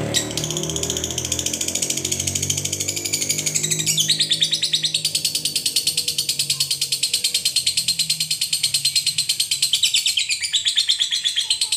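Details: Lovebird, a fighter lovebird, giving a long ngekek used as a lure to provoke other lovebirds to sing: a fast, shrill chattering trill repeated about three times a second, high and continuous, with a low hum early on.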